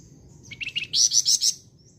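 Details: Flamboyan bird singing actively: a quick run of sharp, high chirps that rises into a louder burst of bright trilled notes, lasting about a second, over faint low background hum.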